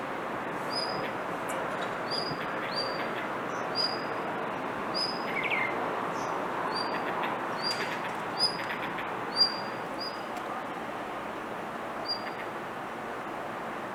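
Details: Blue rock thrush keeps calling rather than singing, giving about sixty thin high whistled notes a minute in loose, irregular series, over a continuous hissing background.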